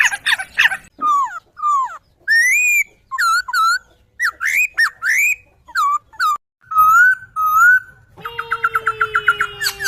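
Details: Laughingthrush singing on a master recording for songbird training: a lively sequence of varied whistles, sweeps and hooked notes, closing with a rapid, even rattle over a low steady tone.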